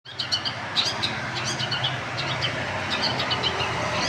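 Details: Long-tailed shrike singing a lively, chattering song of short sharp high notes and trills in quick succession, over a steady background hum of traffic.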